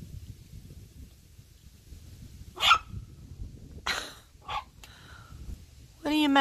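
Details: A pet blue macaw swinging on his new swing gives harsh, dog-like barks, imitating a dog, while its owner talks and calls "kitty". He had been meowing like a cat before recording began but barked instead.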